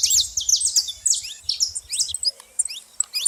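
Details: Noisy saffron finches at a feeding spot, a rapid run of bright high chirps and rising slurred notes, thinning toward the end, with faint low rumbling beneath.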